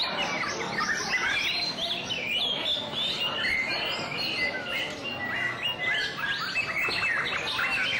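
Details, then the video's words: White-rumped shama in song display, delivering a rich tumble of sweet whistles and chattering warbles. The phrases change constantly, with a few clear ringing notes in the middle. Low background noise runs beneath. "Shama's Song-Display"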